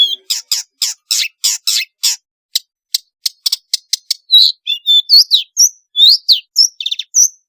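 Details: Long-tailed shrike in active varied song, usable to coax reluctant shrikes into singing; a row of harsh rasping notes, then quick thin ticks, then a mix of whistled slurs and chirps.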